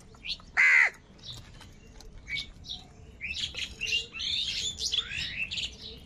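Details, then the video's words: Angry crow among a huge gathering of crows fighting for food: one loud, harsh, downward-bending caw early on, followed by a busy chatter of small chirping birds and scattered short squawks. "All types of Crow sound - Angry kauwa ki awaaz |Huge numbers of crows crowing and crying sounds"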